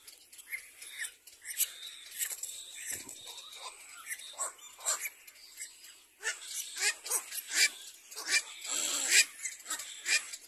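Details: Little black cormorants, a mother with her young, give harsh, rasping squeals in short, ragged bursts, sparse at first and then crowding together into a noisy run of grating cries.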